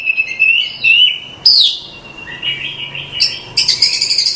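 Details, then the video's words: Masteran of an Oriental magpie-robin: steady whistled notes, a loud high downslurred call, soft warbling, then a burst of harsh, buzzy high-pitched notes. "Suara Masteran Kacer"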